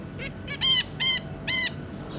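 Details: Zebra finches, an adult pair and three juveniles, recorded 2 August 2022, giving three loud, clear nasal honking calls about half a second apart, with softer calls before them.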